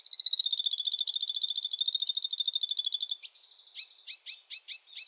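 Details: Sedge warbler song in wetland: a long, fast, even trill of buzzy notes for three seconds, then a sharp upslurred note and a series of spaced, chattering clicks.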